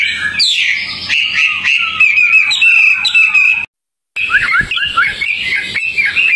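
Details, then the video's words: Outdoor tame Hwamei song of loud swooping whistles and a long sustained ringing note, a brief gap, then varied warbled and slurred phrases. "Wambi Hwamei Gacor jinak total outdoor"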